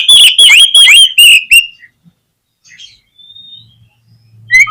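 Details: White-rumped shama song meant to trigger other shamas to sing: a rapid series of loud, rich whistled notes with sweeping harmonics in the first second and a half, then pauses, a thin high whistle and another phrase at the end.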